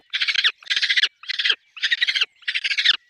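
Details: Peregrine falcon at a nest with chicks, giving five loud, scratchy, rapidly pulsed screeching bursts of about half a second each, separated by short pauses.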